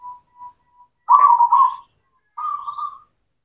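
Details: Zebra dove of local cemani stock, used to prompt silent doves to sing: faint short notes, then a strong fluttering trilled coo and a second, quieter coo phrase.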